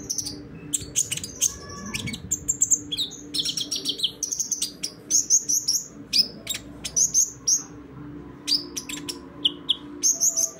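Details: Sunbird (konin, kolibri ninja) in lively full song, used as a lure to set reluctant sunbirds singing: thin, very high chirps and quick sharp trills in bursts, some short pauses, over a faint steady low hum.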